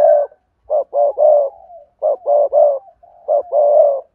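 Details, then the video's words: Spotted dove lure sound mixing sa thúc, gù and gáy, played to draw wild doves. Low coos come in three quick clusters of three or four notes, with trailing soft murmurs between them. "Tiếng cu gáy cườm sa thúc + gù + gáy gọi kích bổi hiệu quả"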